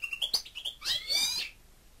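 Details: Pet European goldfinch kept in captivity singing: a quick run of bright, high chirping twitters, then a louder, slightly buzzy warbled trill held for about half a second before fading out.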